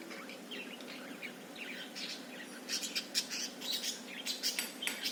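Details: Budgerigar warbling while dancing: a busy stream of high chirps, squeaks and clicks, growing denser and more rapid in the second half, over a steady low background hum.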